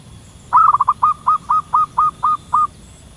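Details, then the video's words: Wild local zebra dove perched in a tree, calling actively to its companions: a quick stuttering burst of short coos, then about six evenly spaced clipped cooing notes at roughly four per second, mid-pitched, over low rumbling background. "Burung perkutut lokal alam liar gacor memanggil kawan di atas pohon"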